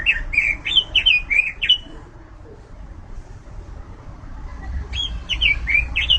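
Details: Robin, a caged songbird kept for singing, giving a run of quick whistled notes, each a short rising and falling slur, about five in under two seconds, then a pause and another burst; low rumbling background.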